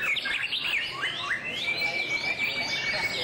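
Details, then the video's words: A White-rumped shama displaying in song starts with quick sliding whistles, then holds a long, steady pure whistle. Bright, swooping phrases are layered over it, all clear above quiet background noise. "Shama's Song-Display"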